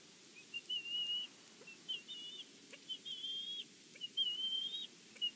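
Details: At a Big Bear nest watched by a live camera, a bald eagle gives thin whistled calls: short piping notes and longer level whistles ending in small upward flicks, in loose bursts, with faint low rumble behind.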